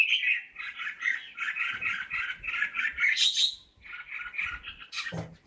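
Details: Red-whiskered bulbul in captivity gives a long, rapid chattering warble of even, clipped notes, a brief higher flourish, then a short pause and another run of chirps.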